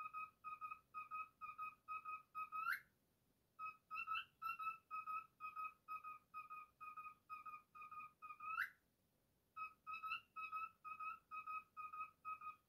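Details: Pet male cockatiel whistling his version of If You're Happy and You Know It, clear repeated notes about two per second, each phrase ending in a sharp rising squeak before a short pause and restart.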